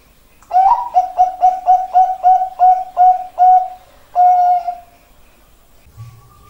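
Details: Zebra dove, Bangkok-bred type, in a competition-style song: a quick opening note then a run of about nine evenly repeated soft cooing notes, ending with one longer drawn coo; quiet background.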